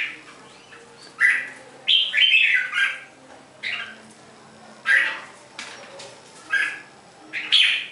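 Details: Red-whiskered bulbul giving short, harsh chattering bursts at irregular intervals, separated by quieter pauses in a room.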